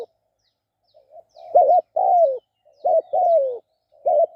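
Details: Decoy spotted dove cooing: soft lead-in notes, then a clipped double coo and a long drawn-out falling croo, repeated twice in a clean, quiet setting.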